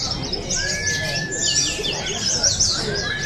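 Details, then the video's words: Oriental white-eyes competing in an open singing contest at Pesta Bederun Balingian 2023 in Sarawak; rapid high twittering from several birds, with a thin steady whistle running beneath and a low crowd rumble. "Juara Pleci"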